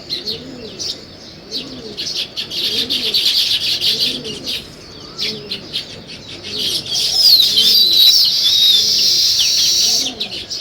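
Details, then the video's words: Sparrows chirping in the morning: a dense chorus of quick, high chirps and twitters that swells in the second half, with soft repeated dove coos underneath. "Sparrow Morning Chirping Sounds"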